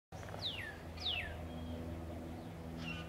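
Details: Wild northern cardinal calling from a backyard tree in Katy, Texas, in February 2009: two loud, clear whistles sliding steeply downward, then a softer third note, over a steady low hum.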